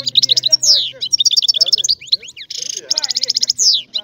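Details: A European goldfinch sings a bright, rapid medley of twittering notes, buzzy trills and sweeping downslurred whistles, nearly continuous, with a faint low hum in the background.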